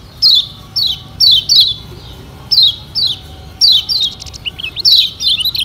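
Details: Lombok yellow white-eye or kecial kuning as a singing lure: spaced high descending notes, often doubled, closing with a quicker burst of chatter.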